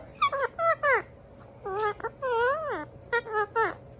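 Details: Indian ringneck parakeet brothers chattering to each other indoors: a run of short squeaky, nasal harmonic calls, some bending up and down, delivered in quick bursts with brief pauses between.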